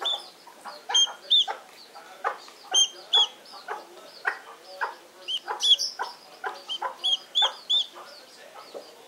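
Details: Peeping from a chick seven days old. High, piercing peeps arrive in quick irregular runs, mixed with clattering rustles and taps throughout.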